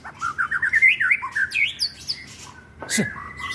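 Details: White-rumped shama song used as a lure to rouse other birds and make them sing, recorded on an Android phone in Lebak, Banten; a quick run of rising whistled notes, then higher sharp phrases and a click near the end.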